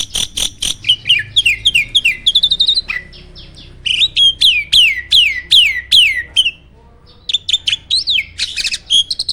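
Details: Farm-kept starling, a champion contest singer, delivers rapid series of loud down-slurred whistles in runs of five or six, broken by short pauses and sharp clicks.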